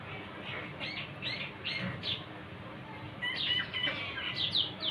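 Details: Black francolin calling near Khushab: a quick rhythmic run of harsh, scratchy notes in the first half, then higher, sharper chirps and squeaks, over a steady rustling background.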